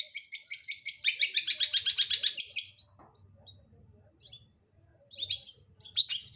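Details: Long-tailed shrike singing: a fast train of buzzy, chattering notes for about two and a half seconds, then a pause and a few scratchy harsh bursts, with a faint low hum underneath.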